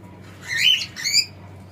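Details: Male pet cockatiel letting out two drawn-out rasping squawks, each sweeping upward, the second slightly shorter, over low background hum.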